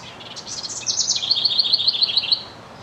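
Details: Male House Wren singing to his mate: a bubbly burst of high, jumbled notes settling into a quick trill of about nine even notes, with no other sounds around it.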